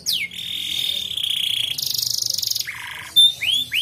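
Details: Short canary lure-song phrase for stimulating untrained birds: a falling note into a long level whistle, a high buzzy trill, a lower rolling trill, then two quick upswept chirps.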